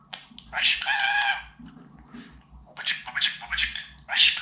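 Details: Talking budgerigar kept as a pet, one drawn-out buzzy raspy word followed by a pause and then several quick squeaky syllables resembling short Turkish words.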